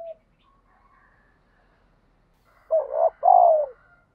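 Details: Spotted dove in fight-spurring decoy training gives a loud, husky two-part coo after a long quiet stretch, the second syllable longer and falling slightly.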